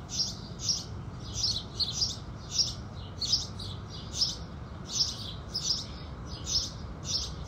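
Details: House sparrows singing with the rising sun in the morning: a steady run of about a dozen short, bright chirps spread across nearly eight seconds, unevenly spaced, over a constant low background hiss.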